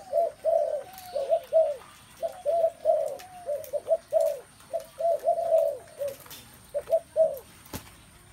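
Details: Chorus of spotted doves: repeated soft, low coos in short groups, overlapping voices continuing steadily, one sharp click near the end.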